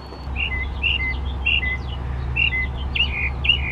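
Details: Mockingbird singing in the morning: varied short whistled phrases, some repeated in pairs, mixing slurred notes and sharp upswept chirps, over a steady low rumble of background noise.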